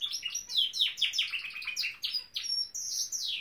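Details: Caged Norwich canary in song, delivering a fast series of high downward-slurred chirps followed by rising and falling whistled sweeps, loud and uninterrupted.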